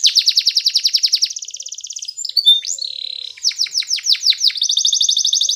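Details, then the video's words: Belgian canary song used in training young birds: rapid loud trill, a finer buzzing rattle, brief whistles, then a run of downward slurred notes and a closing rapid trill. "Belgian Canary Training for Early Childhood Canaries so that they sing diligently"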